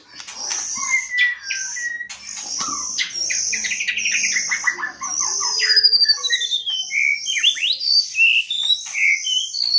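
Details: Lure song of a white-rumped shama, 2022: varied high chirps, then a descending run of quick slurred notes and scattered sharp upward-sweeping whistles, all delivered in a lively, irregular stream.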